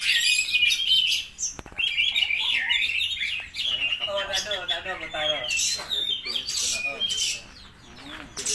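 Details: Oriental magpie-robin of the spotted variety in full song, copying lovebird chatter: rapid, buzzy, wavering squeaks tumble over one another, briefly dipping softer near the end before resuming.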